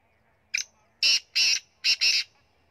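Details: Harsh rhythmic call of a Punjab black francolin, locally kala teetar: a thin lead-in note, then two grating notes and a final close-set pair, loud and scratchy against near silence.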